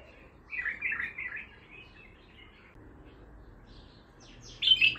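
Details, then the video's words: Bulbul with Baghdadi-style song, untrained: a run of mellow warbled notes, then soft trailing calls, ending with a sharp, high, bright phrase. "بلبل طور بغدادي خام"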